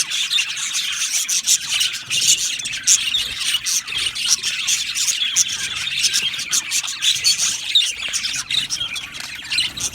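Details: Budgie parakeets in a colony aviary fill the air with constant warbling chatter, dense high chirps rising and falling in loudness without a break.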